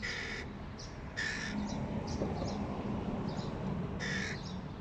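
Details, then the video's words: Fledgling crows calling: three loud, harsh, nasal caws with rich harmonics come at the start, at about one second and near four seconds. Softer, higher calls come in between over a steady low rumble of background noise. "Fledgling crows"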